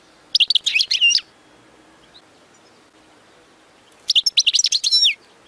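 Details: Goldfinch song for tutoring young birds, two brief phrases of bright, rapid twittering notes about three seconds apart, each ending in a downward slur.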